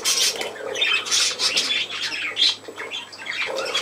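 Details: Budgerigars kept as pets, at play in a room, with continuous raspy warbling, chirps and sharp squawks layered over one another.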